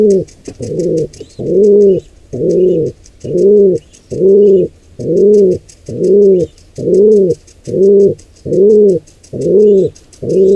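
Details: Wild pigeon cooing at a nest under attack by an intruding pair: a long, very regular series of low, humped coos about once per second, with soft high chirps in the background.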